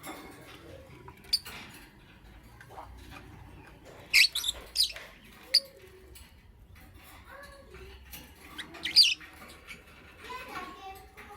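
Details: Morning lovebird chirping: a quiet stretch, then a cluster of piercing high chirps around the middle, a pause, and another bright chirp burst later, with soft lower squeaky notes trailing at the end.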